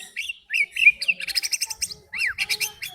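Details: Lure song of a white-rumped shama for provoking other birds into song: fluty slurred whistles followed by fast trilled chirping, a swooping downslur, then more rapid chirps.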